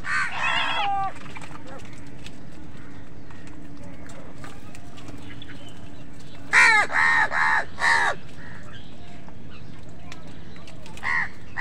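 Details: During a squabble between crows and wild birds over food, a crow gives a single rough caw, then after a quiet stretch a rapid burst of four or five harsh, ringing caws, with faint chirps in between.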